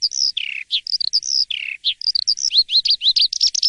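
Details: Morning song of an Asian pied starling, vigorous and open-toned: clear whistles alternate with lower drawn-out slurs, then quickening rising notes run together near the end.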